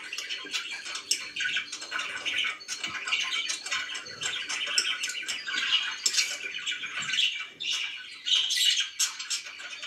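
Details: Budgie kept as a pet chattering indoors for a long stretch: dense, scratchy twitters and clicks with bright squeaky peaks, rising and falling in loudness without pause.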